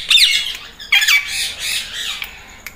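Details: Green Indian ringneck parrot talking and imitating a cat's meow: two loud, harsh, harmonic squawks, the second longer and wavering, then fading softer notes in a quiet room.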